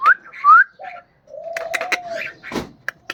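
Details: Cockatiel kept as a pet gives two quick upslurred whistles, a short low note, then a longer flat low whistle, with scattered clicks, taps and a brief thump.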